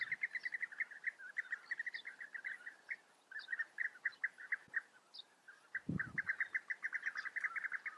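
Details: Group of European bee-eaters giving a dense chorus of short, liquid, rolling 'prrup' notes repeated several times per second, overlapping calls from many birds, a brief low thud near the end.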